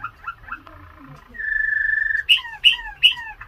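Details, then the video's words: Waterslager canary song: short looping chirps and a low bubbling phrase lead into a long, steady rolled trill, then three bright downward-sliding whistles. "waterslager canary | Canary Sounds"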